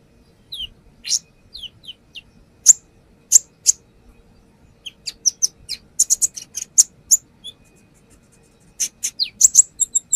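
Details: Brown-throated sunbird showing off its repertoire as a lure: scattered downslurred high notes, loud isolated chips, then a dense stuttering run of sharp twitters, a pause, and more rapid high chirps.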